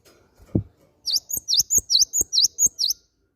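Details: Cinereous tit call used as a lure to prompt other birds to sing: a rapid series of about nine high, sharp V-shaped chips in quick succession, preceded by a single dull knock.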